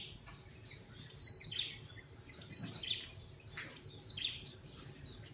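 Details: Sunrise chorus in Malaysia at 6:45am, several birds giving high, thin chirps and brief whistled notes at irregular intervals, with a constant low rumble of ambient noise underneath.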